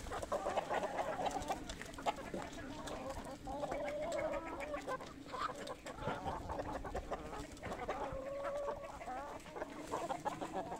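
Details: Poultry flock being fed, many hens clucking and purring together in a steady low chatter, with soft drawn-out notes rising above the crowd noise.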